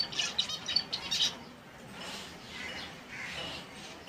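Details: Finches from various species in a natural setting give a quick burst of sharp high chirps and trills in the first second, then only faint distant twittering remains.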